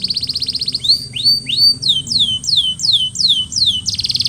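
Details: Canary song after molting: a quick high trill gives way to slow, looping whistled notes rising then dropping, about three a second, before the trill resumes. A steady low hum sounds behind.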